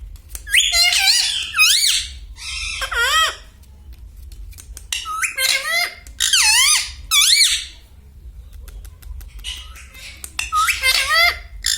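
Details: Household parrot saying mummy and other learned words: repeated bursts of squeaky, voice-like syllables rising and falling in pitch, grouped into phrases every couple of seconds, over a low steady hum.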